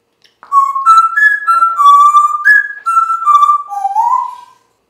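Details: Pet African grey parrot indoors, known for announcing squirrels outside, gives a clear whistled phrase: a series of sustained tonal notes stepping up and down in pitch, each held about half a second, ending on a gently rising note.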